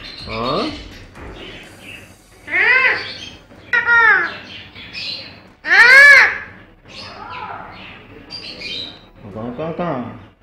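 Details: A very talkative pet parrot chatters with its owner in short, speech-like bursts with arching, rising-and-falling tones, separated by brief pauses; a human voice may also be speaking.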